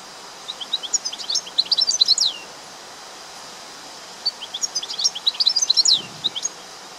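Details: Singing European goldfinch delivering two quick, bubbling phrases of high twittering notes mixed with brief trills and downslurred chirps, a gap of about two seconds between them, faint background hiss throughout.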